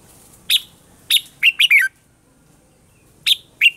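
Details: Red-whiskered bulbul morning song in a mature wild-type voice, played for training caged birds: short, loud, bright chirped notes in two bursts, a quick run of three rich descending notes, then two more chirps after a pause, quiet background.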